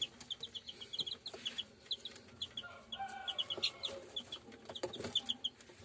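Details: Pure German Shamo chicks peeping: many short high cheeps in quick, irregular runs, with scattered clicks and scratching knocks around them.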